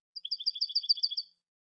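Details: A single fast trill from a European goldfinch: about a dozen clear, high, two-pitched notes, evenly spaced and lasting just over one second, against silence.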